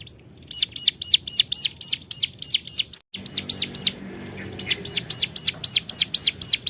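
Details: Rival-calling hill prinia repeating sharp arched notes about four per second in a long series, interrupted by a brief gap and a soft thin trill before carrying on.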